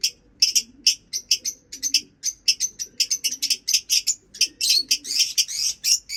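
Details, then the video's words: Lovebirds in a cage setup give a fast, dense series of sharp high chirps, some doubled or clustered, with almost no pause across six seconds and faint low rustling underneath. "Lovebird setup | Birds chirping sound"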